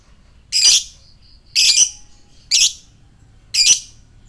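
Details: Fighter lovebird giving ngekek, used to provoke other lovebirds into responding: four loud, harsh, high chattering bursts, each about a quarter second, spaced roughly one second apart.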